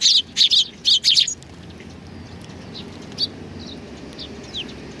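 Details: Sparrows welcoming visitors at a Tenmangu shrine on 3 July 2020, with a quick run of five or six loud high chirps at the start, then only a few faint distant notes over low background noise.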